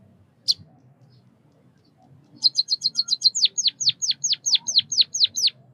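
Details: White-headed munia (Lonchura maja) of Southeast Asia: a single high chirp, a pause, then a quick trill of high chirps giving way to a series of sharp descending whistled notes about three per second.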